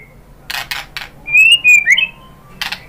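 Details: Short phrase of white-rumped shama song used as a singing lure: a few sharp clicks, then a bright sliding whistle that rises and twists, followed by one more click.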